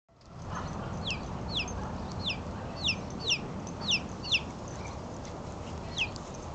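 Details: Four three-week-old chicks playing outside for the first time on March 23, giving high, thin, downward-sliding peeps in loose bursts, roughly ten in a few seconds, over a steady outdoor hiss.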